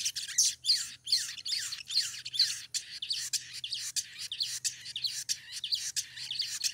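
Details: Crimson sunbird female in breeding condition, calling for a male: continuous rapid high twittering, about two notes per second of sharp downslurred chirps, steady and unbroken, with a faint low hum behind.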